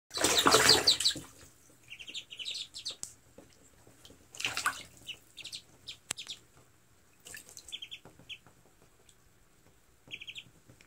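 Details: Wood ducks (Aix sponsa) recorded 21 April 2020 giving thin, high squeaky notes in short clusters of two to four, spaced irregularly, with bursts of splashing water.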